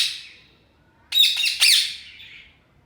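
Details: A pet ring-necked parakeet freed from its cage gives a fading harsh note, then two loud, raucous squawks in quick succession with a wavering, grating quality.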